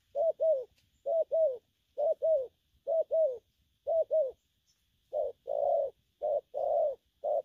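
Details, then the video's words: Spotted dove, a young bird, cooing in gù kèm and gù lăn săn style: quick doubled arched coos repeated steadily, then after a short gap a shift to alternating short and long mellow hooting notes. "Bổi nước gù phóng, kèm, gù lăn săn"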